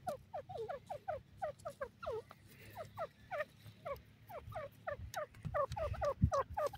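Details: Indian francolin, the Dakhni teetar, calling at home in India: long run of clipped rising notes, sometimes doubled, growing louder toward the end with a single low knock.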